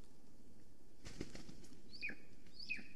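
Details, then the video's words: Wild female Golden Eagle at her nest in Estonia, filmed by a nest camera on the morning of 13 July 2020 as she arrives and flies around the nest. A burst of wingbeats is followed by two short, high, downslurred call notes. "She is calling & preening, Flew calling around the nest"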